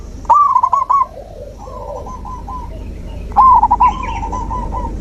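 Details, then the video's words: Zebra dove cooing, used as nature therapy for a dove that has gone silent; two phrases of rapid, clipped coos that trail into softer, drawn-out notes, with a quiet steady background. "Terapi alam perkutut macet mogok bunyi"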